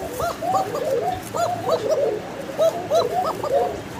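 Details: Domestic pigeons at a pigeon farm in Bangladesh, pairs of males and females, calling repeatedly; soft rolling coos in quick bursts, each a short rising-falling note, repeated many times in overlapping rhythm.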